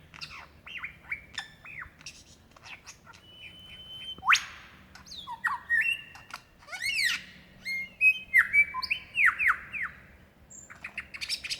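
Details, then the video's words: Male lyrebird in Dandenong Ranges National Park, Australia, February 2016, calling to attract a female: loud varied phrases of whistles, snapping clicks, upward sweeps and ringing downslurred notes, changing from phrase to phrase. "Rare and incredible sounds of a Lyrebird calling for his mate"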